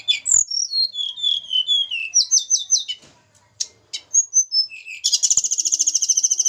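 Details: Hill blue flycatcher from Java, kept in a cage for pairing, sings a descending series of sweet whistled notes and a group of repeated chirps. After a brief pause it ends with a long, very fast high trill.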